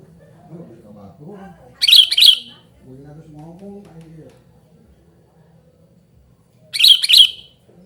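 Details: Sooty-headed bulbul calling noisily, recorded for luring and tutoring: two bursts of harsh, rasping double notes about five seconds apart, with soft low murmuring sounds between them.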